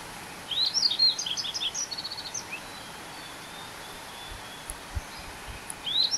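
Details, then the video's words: Yellow-throated Bunting, a resident bird, sings a quick, high, clear twittering phrase of about a dozen thin notes lasting two seconds, then starts another, over faint background hiss. "노랑턱멧새 Yellow throated Bunting"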